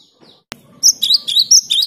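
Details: Cinereous tit in good song, used to stimulate silent caged tits to sing: a loud series of high, sharp two-part whistled notes, rising then dropping, repeated about four times in a second, after a single click.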